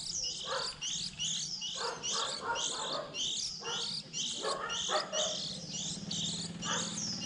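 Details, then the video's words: Young white-eyes early in the 2020 season, around when fledglings leave the nest in April, give a dense, continuous chatter of thin, high chirps broken every second or so by short, lower, harsher bursts. "Tiếng khuyên non"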